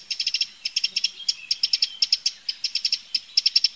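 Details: Eurasian wren, a free wild bird, giving a steady series of sharp, high ticking notes in quick clusters of two to five, repeated throughout with short pauses between groups.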